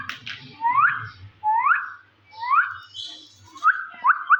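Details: Pet Indian green ringneck parakeet, a talking bird that speaks Urdu, giving clear whistled notes that sweep upward, repeated about every second, then three quicker short whistles at the end; faint low hum beneath.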